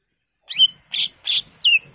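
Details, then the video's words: Greater green leafbird (cucak ijo) in full varied song, giving four loud, high notes in quick succession, mixing clear down-slurred whistles with harsher, scratchy bursts. "CUCAK IJO GACOR FULL ISIAN"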